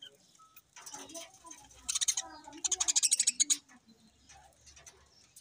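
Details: Budgerigars kept in a cage, a crowded flock giving high, rapid, scratchy chirps and warbles, with a fast pulsed burst of repeated notes near the middle.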